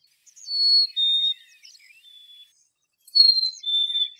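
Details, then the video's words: Black-capped chickadee whistling a pure two-note fee-bee phrase, a higher note dropping to a slightly lower one, repeated twice with a pause between, against a quiet background. "Black-capped chickadee Call - Black-capped chickadee Sound - Black-capped chickadee Chirp"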